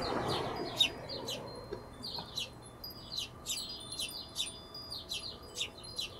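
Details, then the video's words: Hummingbirds calling with sharp, high chirps repeated roughly twice a second in an uneven series, after a brief low rustle at the start. "Hummingbirds - Efecto de sonido"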